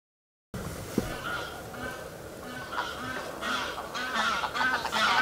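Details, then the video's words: A willow ptarmigan in spring on Andøya, Vesterålen, surprised early in the morning, gives a run of harsh, nasal, laughing notes like "hähähähä" that speed up and grow louder over several seconds, with a light background hiss. "Ptarmigan sounds funny - Moorschneehuhn mit Lachanfall :-)"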